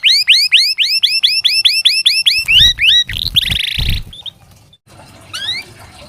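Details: Domestic canary singing a tutor song for reluctant young canaries: a long run of loud repeated arching upslurred whistles, then a buzzy trill, with low thumps and a pause before a final rising note.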